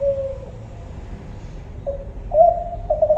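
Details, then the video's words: Spotted dove, the tekukur kelantan, gives a few low, soft coos. A short falling note is followed after a pause by a brief, steadier two-part coo phrase against a low hum. "suara burung tekukur kelantan"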